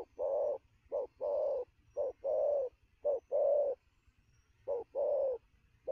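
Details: Spotted dove, freshly caught from the wild, giving fast coos at noon: steady run of paired low coos, each a quick clipped note then a longer mellow one, four pairs in close succession.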